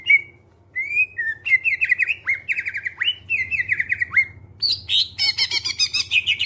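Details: Greater green leafbird (cucak ijo) song meant to coax other birds into singing: a series of loud downslurred whistles repeated about twice a second, followed by dense rapid chattering phrases; low hum in the background.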